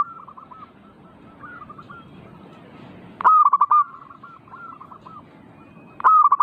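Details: Zebra dove song meant to stir birds into singing: faint distant cooing phrases, then a loud run of quick staccato coos ending in a drawn-out note. A second loud phrase starts near the end.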